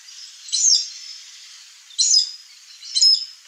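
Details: Chestnut-eared aracari, free in the wild in the Brazilian Cerrado, visiting a rural backyard where ripe fruit is available; three rasping, high-pitched squeaky notes, spaced about one to one and a half seconds apart, over faint background hiss.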